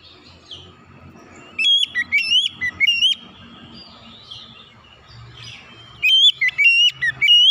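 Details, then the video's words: Oriental magpie-robin lure song for birds slow to sing: two bursts of quick, loud slurred whistles separated by a few seconds of faint chatter over a low background rumble. "kicauan Kacer pemikat"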